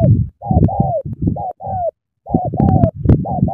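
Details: Spotted dove, Cà Mau, Vietnam, cooing energetically in the sắm thổ style: close-set, downward-curving coos in groups of two or three, each over a thick booming low undertone, with one short pause.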